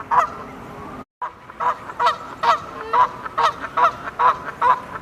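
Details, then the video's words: Canada geese honking loudly as they take off and fly: nasal honks, roughly two each second in an uneven series, with a brief gap near the start. "Canada Geese HONKING FLY Off"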